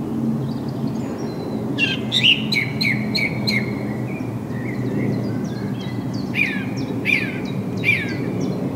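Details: Song thrush song recorded 6 April 2010 with a Canon HF200 camcorder: loud, sharp downward-swept notes repeated in rapid series, interspersed with thin high whistles, over a noticeable low background rumble.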